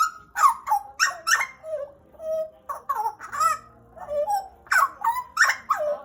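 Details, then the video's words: Papuan pied butcherbird kept as a pet for around two years, singing loudly indoors: quick squeaky upslurred notes in clusters, mellow lower whistles between, ending with bright, rapidly repeated phrases. "JAGAL PAPUA GACOR"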